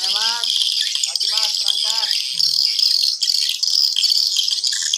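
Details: During an afternoon check of a 10-month-old swiftlet house, swiftlets respond to a played call sound with a dense, high, chattering twitter throughout, and a man's voice is heard over it in the first two seconds.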